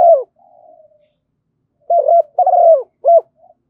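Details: Spotted dove used as a decoy for luring wild doves, after the tail of one phrase and a faint soft murmur, giving a full three-part coo: a brief hoot, a longer quavering coo and a short final note.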